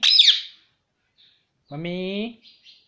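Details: A pet Indian ringneck parrot gives a shrill screech, then a nasal, buzzy two-syllable imitation of the word "mummy", repeating it nonstop, with faint squeaks after it.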